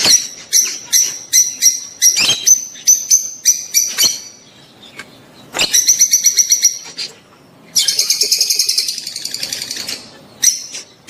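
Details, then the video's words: Rosy-faced and Fischer's lovebirds giving mating sounds meant to stimulate the female to breed: bursts of shrill, high chirps repeated several per second, broken by short pauses, with a rapid buzzy chattering run near the end. "صوت تزاوج طيور الحب الروز والفيشر لتحفيز الأنثى على الإنتاج"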